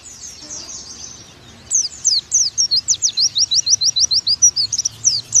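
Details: Oriental white-eye tutor song opening with soft high twittering, then breaking into loud, evenly spaced sharp chirps that slur downward, roughly three per second.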